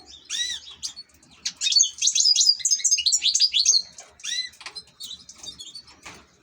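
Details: European goldfinch, an ornamental bird, gives curved whistled notes, then a fast run of crisp buzzy twitters. It ends with more slurred whistles and scattered chirps.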